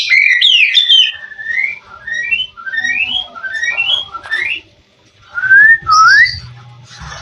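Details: White-rumped shama performing a competition fill song: a series of about eight evenly spaced rising whistled slurs, then a pause and two louder upward-sweeping whistles, with a faint low hum underneath.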